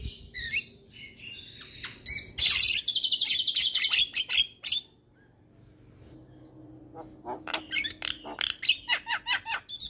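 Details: Javan myna singing on a training recording meant to coax reluctant birds into song. A harsh rasping burst and buzzy chatter are followed by a pause, then rapid high clicking chips repeated about three per second.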